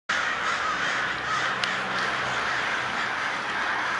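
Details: A massive swarm of crows at daybreak, swarming and diving, fills the air with a dense, unbroken wall of overlapping harsh caws, so many birds calling at once that single calls blur together.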